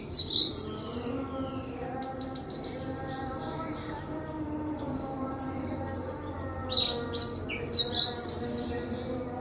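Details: High-pitched song of a White-throated flycatcher: steady stream of bright chirps, short slurred whistles and sharp ticks, phrases following closely one after another, light background hum.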